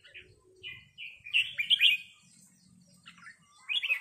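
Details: A red-whiskered bulbul gives 'rik' calls in response to a resident territorial bird. Short, clear, bubbling phrases come in two bursts separated by a quiet gap, over a soft low background hum.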